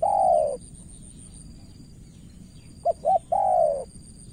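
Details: Spotted dove from Cà Mau, Vietnam, a decoy bird: a long falling coo, a silent gap, then two quick short notes and another long mellow coo, with a thin steady whine behind.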